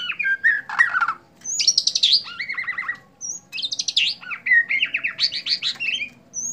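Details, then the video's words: Bowing white-rumped shama, Indonesia, delivering bright rolling trills and quick descending whistles in clustered phrases, broken by a brief silence midway. "murai sujud"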